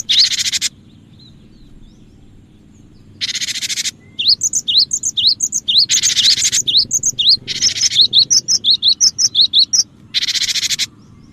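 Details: Cinereous tit in full song for luring birds: rapid repeated high whistled notes, interrupted by loud bursts of hissing, crackling noise at regular intervals.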